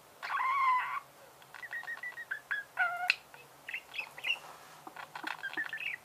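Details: Domestic budgerigar chirping: a loud harmonic squawk to open, then a string of short warbled notes and clicks, irregular and quick, several per second, in a quiet room.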